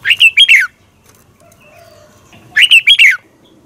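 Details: Lure song of a red-whiskered bulbul for morning training, competition-singing style: two matching phrases about two and a half seconds apart, each a rapid string of four liquid, slurred whistles, with quiet between.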